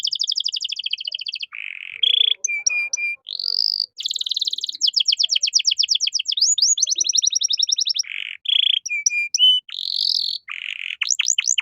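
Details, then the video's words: Caged canary in 'cengkok mewah' song style, used as a tutor recording for young birds: rapid rolling trills alternate with clear flat whistles, buzzy rising notes and fast repeated downslurs, pouring out with barely any pause. "MASTERAN KENARI GACOR || Cengkok Mewah Mudah Masuk untuk Burung Bahan"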